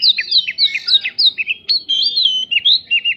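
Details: White-rumped shama song with prinjak phrases used to get other birds singing; fast continuous sequence of looping whistled notes, roughly three per second, bright and high.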